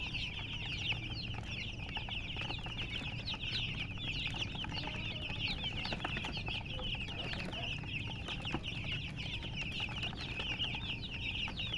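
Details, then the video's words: Chicken chicks, a hen's brood, cheeping nonstop: a dense chorus of high, thin peeps overlapping one another, with a low background rumble throughout. "silly chicken chirping sounds"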